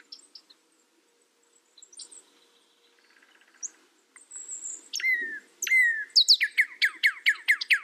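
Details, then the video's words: Northern cardinal song: faint scattered chirps at first, then two down-slurred whistles and a loud series of sharp, steeply falling notes repeated several times a second. "SOUND CARDINAL NORTHERN BIRD"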